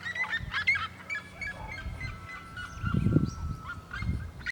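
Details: Cactus parakeet singing: a run of harsh, nasal, chattering notes and drawn-out screechy tones, with a low thumping noise in the background.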